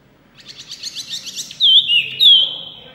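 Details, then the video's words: Loud white-eye song opening with a fast stuttering trill of high notes for about a second, then breaking into three clear, louder whistled sweeps that wobble up and down. "wambi mini gacor full suara kencang"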